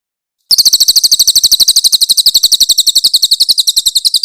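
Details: Grey-headed canary-flycatcher delivering harsh 'tembakan kasar' shots in a clear training master for songbirds: a long, steady burst of piercing, high repeated notes that starts suddenly and continues without a break.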